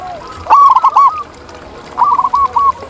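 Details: Wild local zebra dove giving two loud phrases of rapid, bubbling arched coos about one and a half seconds apart, over faint background dove calls.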